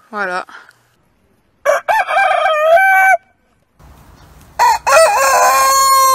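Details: Several rooster crows in succession: a brief rising call, then a full cock-a-doodle-doo ending in a held note, and after a short pause another loud crow with a bending, sustained finish over low background noise.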